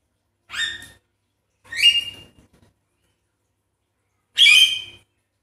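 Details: Javan myna sounds used as a lure to stir a quiet myna into singing: three loud harsh raspy bursts, each under a second long, with gaps of about one and two and a half seconds, in an otherwise silent background.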